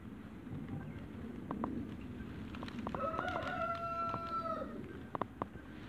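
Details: A giant Lemon Pyle Brahma rooster in a backyard gives one drawn-out crow of about one and a half seconds. It is harmonic and fairly level, with a slight drop at the end, and follows scattered short clucks and clicks over a steady low rumble.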